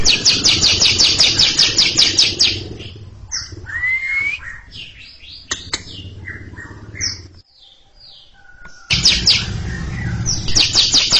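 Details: Long chattering ngekek from a greater green leafbird singing at a silent younger bird: a fast run of scratchy repeated notes, then assorted whistles and chips with a rising slur, and the rapid chatter resumes near the end.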